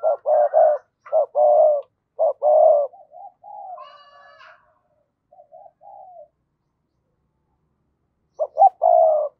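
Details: Spotted dove kept as a decoy, cooing in a double voice to draw wild doves. Dense clusters of mellow hoots open and close the passage, with softer, trailing notes and a brief higher rasp in between.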